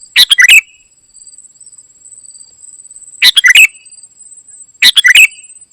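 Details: Ruby-throated bulbul, locally kutilang emas, singing gacor isian. Three bursts of quick, sharp chirping notes separated by gaps of about two and a half seconds, over a faint steady high-pitched tone.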